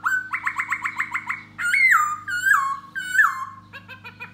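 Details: Da Bò laughingthrush singing while dancing for a female: a fast train of short repeated notes, then three loud drawn-out falling whistles and a brief chattering ending, against a low hum.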